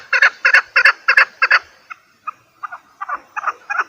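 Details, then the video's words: Chukar partridge call, a lure recording for hunting: a run of five loud harsh chuck notes in quick succession, then softer, lower, spaced notes that build again toward the end. "Овози кабк кеклик калик пение каклик мастак модкабк шикор"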